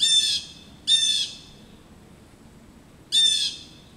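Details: Blue jays upset by an adult male osprey perched in a back yard give harsh, nasal scolding calls, two close together and a third after a two-second gap.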